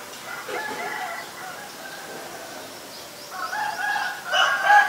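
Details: Asian barred owlet calling: a bubbling, chattering series of harmonic notes, fading mid-clip and then returning louder and denser toward the end, with faint background chirps.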